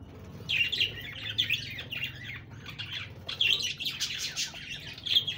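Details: Budgerigars twitter in bursts of high, buzzy warbling chirps separated by quieter moments, with a low steady hum in the background.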